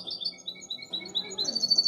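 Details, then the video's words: Seven-month-old European goldfinch hybrid singing: rapid bright twittering and trilled high notes that end in a buzzy, rising flourish, with a faint low hum underneath. "Mi mixto de jilguero tiene 7 meses"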